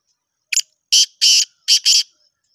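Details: Black francolin calling: a harsh, grating phrase of five loud buzzy notes. A short clipped note comes first, then a rapid run of longer rasping notes in two pairs. The background is quiet.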